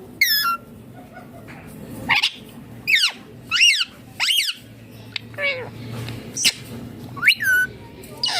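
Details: A talking green Indian ringneck parakeet makes loud, bent, screechy notes. Some sweep upward and some drop, coming about once a second, with quiet murmur between them.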